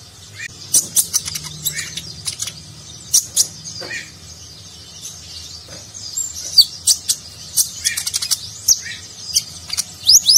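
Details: Sunbird (konin) training recording for contest birds, sung in nagen style: scattered high thin chirps and sharp ticks with brief trills, irregular phrases separated by short pauses, low background hum.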